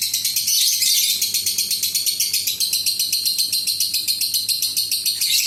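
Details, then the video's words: Long ngekek from an adult lovebird, used to set off other lovebirds. The very fast, metallic, high-pitched chattering comes in tight repeated pulses, sustained without a break throughout. "SUARA BURUNG LOVEBIRD INI AMPUH UNTUK PANCINGAN LB LAIN NGEKEK PANJANG"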